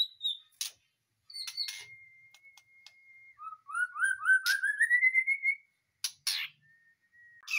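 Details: White-rumped shama kept in a cage, freshly out of a breeding cage: a long steady thin whistle, then a quickening series of short notes climbing in pitch, among sharp clicks.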